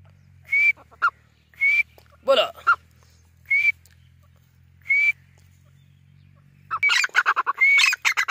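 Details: Grey francolin giving spaced, high, upward-sliding whistles about once a second, with a lower hoarse note between them. A steady low hum sits beneath, then a rapid burst of harsh, chattering notes closes the passage.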